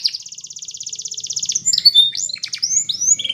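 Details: A Belgian canary sings a fast, even trill for about one and a half seconds, then breaks into varied whistled upslurs and short chirps; the song is meant for training young canaries.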